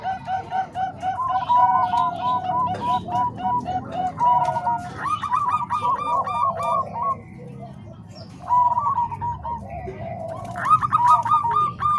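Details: Zebra dove song combining Bangkok and Cemani Kolbuntet voices for training other doves: quick chains of soft coos in bursts, a short quieter gap midway, then loud overlapping phrases resume; low hum behind.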